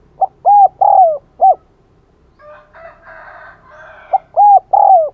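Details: Spotted dove used as a decoy, calling to lure other doves: two cooing phrases of four hollow notes each, short then two long then short, separated by a brief rustling, scratchy noise.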